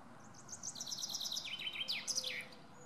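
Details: Male common chaffinch singing: a brisk descending series of repeated chirping notes accelerating into a flourish of sharp downslurred notes at the end, over a low background hum.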